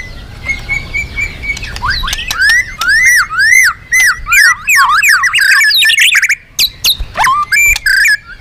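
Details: Magpie-robin singing loudly and energetically, used as a lure for other birds: a rapid string of clear, loud whistles that arch and swoop, mixed with sharp chips and high trills after a quieter steady whistle at the start.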